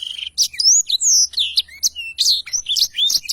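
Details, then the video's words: A black-throated canary sings a long, unbroken roll of fast, high, sweet whistles, slurred notes and short twittering trills, very chatty and clearly recorded, with no other sounds. "Tarikan Suara Blackthroat Super Gacor Ngerol Panjang"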